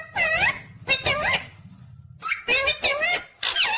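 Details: A talking pet parrot, indoors, chatters in quick bursts of rich, nasal, squeaky calls with sweeping rising and falling notes, grouped in rapid clusters separated by short gaps, over a low background hum.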